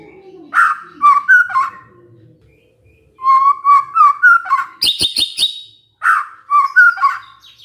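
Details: Song of a white-rumped shama, used as a lure to draw answers from other shamas: mellow repeated whistled phrases, a rattle of sharp clicks with a high note, then further whistles.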